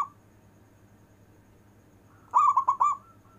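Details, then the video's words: Local zebra dove in long-breathed song, used for rousing lazy zebra doves: after a quiet pause, a single quick phrase of four bubbling coos with a soft tail note, steady low hum behind. "Perkutut lokal istimewa manggung nafas panjang,cocok untuk manggil perkutut malas"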